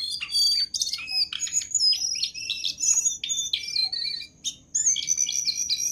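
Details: Energetic Jongkangan master song used to train birds: a continuous stream of high chirps, short whistles, and chattering phrases with only brief pauses.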